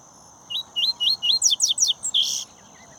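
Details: Captive-bred double-collared seedeater giving a brisk song: four upslurred whistles, then three rapid falling sweeps, closing with a harsher buzzy note, clear over a quiet, steady background hum.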